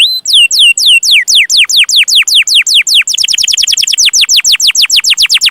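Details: Canary training song for juvenile canaries: a held whistle, then steady falling slurred notes about three per second, accelerating into a rapid run of short descending chirps.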